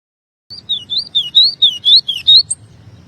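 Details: Double-collared seedeater singing a rapid run of short whistled and slurred notes, about a dozen phrases in two seconds, ending with a higher note; low background hum throughout.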